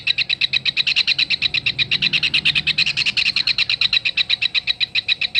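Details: Kingfisher tutor recording for songbirds: a long, fast rattle of crisp high notes, swelling in loudness mid-clip and continuing steadily to the end.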